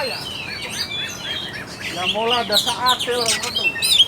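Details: Oriental magpie-robin singing as a lure for a sluggish bird: tangled whistles and slurred high notes mixed with harsher, lower buzzy sounds, growing louder toward the end.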